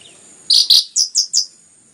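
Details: Anis merah (orange-headed thrush) in rapid song used to stir other birds into singing: five clipped, high, bright notes in quick succession, the first two loudest, over about one second.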